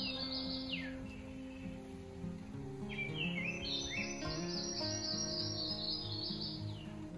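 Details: Yellow-throated Warbler singing at Sequoyah National Wildlife Refuge, eastern Oklahoma: a run of clear, sweet, high whistles sliding downward in a cascading series, over steady low background music.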